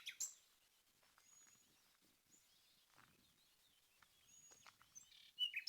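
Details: A common nightingale (Luscinia megarrhynchos), a strange bird noise later confirmed as nightingale, gives sparse, high thin whistles and short chirps, with louder sharp notes at the start and end, over faint background hiss.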